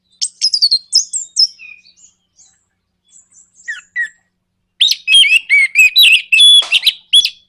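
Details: Orange-headed thrush in nraktak konslet song, played to provoke other birds to sing: high scratchy twitters, scattered soft notes and a near-silent gap, then a loud dense run of warbled, slurred whistles and rattles.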